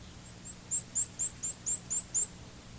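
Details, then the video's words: Black-and-white warbler singing its very high, thin, squeaky two-noted wheeza, wheeza song, about four phrases per second, like a squeaky wheel turning round; faint low hum beneath. "Our first bird is the black and white warbler. He's the bird whose high-pitched song sounds like a squeaky wheel turning round and round."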